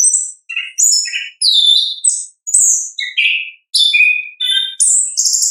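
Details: Orange-headed thrush delivering 'ngeplong' song in its natural voice, as a lure for lazy singers: choppy sequence of short high whistles alternating with lower fluty and buzzy notes, nearly continuous with brief gaps.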